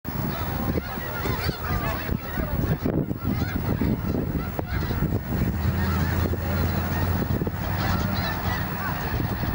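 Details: A large flock of snow geese on Fir Island, Washington, in February 2022, all taking flight after an eagle flew over. Dense, overlapping nasal honks form a continuous roar, with low rumbling underneath from wingbeats and movement.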